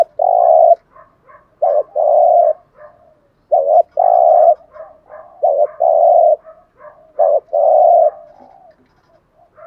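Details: Spotted dove with a fine voice repeating a 'gù thúc' cooing pattern meant to rouse decoy doves to coo: five or six phrases of a short note followed by a long, low, steady hoot, interspersed with soft murmured coos.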